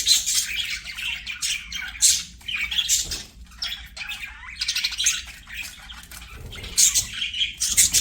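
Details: Budgerigars at play sing in uneven bursts of raspy chatter, clicks and squeaky whistles, separated by short quieter gaps, over about eight seconds.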